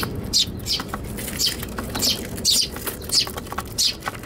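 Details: Eurasian tree sparrows squabbling in a box on a balcony on Tanabata 2021: rapid high chirps, several per second, with scuffling noise.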